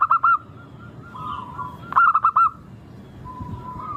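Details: Zebra dove, local type, singing as a lure. A couple of ringing coos open the clip. Softer murmuring follows, then a brisk run of five clear bouncing notes and a fading hum.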